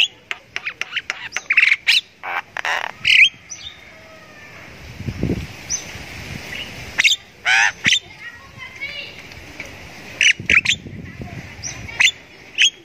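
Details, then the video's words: A captive Javan myna, once prone to flipping in its cage but now singing freely after regular care, gives harsh squawks, clicks and short whistled notes in irregular bursts, with a brief low rumble of background noise midway. "Burung Jalak Kebo Gacor"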